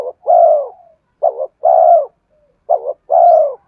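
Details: Spotted dove song played to lure wild birds, with clean low coos in a steady short-then-long pattern: a brief wavering note, then a drawn-out falling coo, three times in a row.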